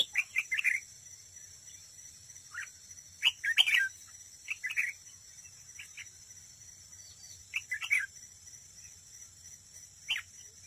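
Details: Red-whiskered bulbul used as a trap decoy, singing to compete. It gives lively chirping phrases of several quick notes, repeated every second or two with brief pauses. A steady high hiss continues in the background.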